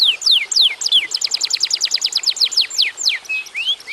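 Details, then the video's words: Atlantic canary singing energetically to spur other canaries: bright downward-slurred notes, then a rapid even series of short high notes, closing with a few separate falling whistles and a rising note. "kenari gacor durasi pendek cocok buat pancingan kenarimana pun lansung Yau gacor"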